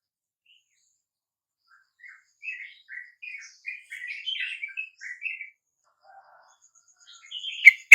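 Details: At dawn, a wild sooty-headed bulbul responds to a lure with a quiet, fairly distant run of short, liquid, warbled notes lasting about three seconds, followed by a sharp, loud knock.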